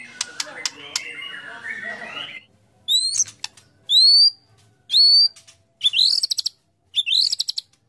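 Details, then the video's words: White-rumped shama, competition song: soft chattering and clicks, then loud rising whistles, each sweeping upward and ending in a short trill, repeated about once a second. "25 Tembakan Murai Batu Isian Sadis Dan Mewah Yang Disukai Juri"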